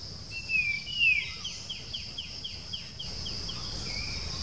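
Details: Puff-throated babbler (Pellorneum ruficeps) outskirts of Bangalore, India, 7 June 2020, gives its persistent call: two clear high whistles, then a quick run of short, falling notes, over a steady shrill insect drone.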